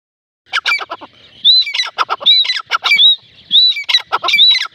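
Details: Partridge calling in a loud, harsh, rapid series of scratchy grating notes mixed with thin high whistled upslurs, repeated in bursts of roughly one second with no other sounds.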